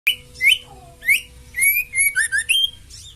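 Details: Female oriental magpie-robin of a fighter bird, giving a call said to provoke all males to sing: clear whistled notes, some rising, some slurred, spaced in short phrases, over a steady faint hum.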